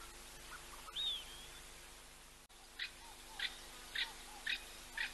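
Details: An African hawk-eagle at ol Donyo Lodge gives a single clear downslurred whistle, then a series of short, high, yelping notes about twice a second; faint lower chirps sit beneath.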